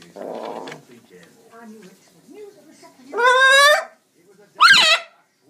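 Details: A macaw chatting and dancing: a short rough note, soft murmurs, then a loud, harsh, harmonic squawk held almost a second, followed by a shorter rising-then-falling squawk.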